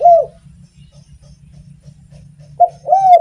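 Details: Spotted dove singing to stimulate other doves: a falling coo, a stretch of low humming background, then a short coo followed by a longer smooth coo at the end.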